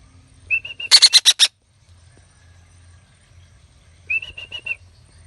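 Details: Young red-breasted parakeet, kept as a pet: three clear whistled notes lead into five harsh, grating squawks, then after a silence another run of five or six level whistled notes.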